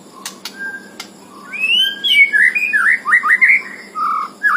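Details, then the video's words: White-rumped shama out of its cage singing a rich song: a few sharp clicks, then a run of loud slurred whistles rising and falling in quick succession, ending with lower whistled phrases, steady hiss behind. "EDISI LEPAS KANDANG MURAI BATU ISIAN PENUH MANTAP"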